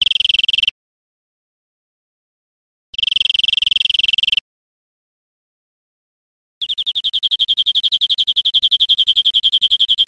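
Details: European greenfinch song from a recording made to train caged birds: two short dense buzzy bursts separated by silence, then a longer fast rolling trill of rapid high notes, evenly pulsed and steady in pitch.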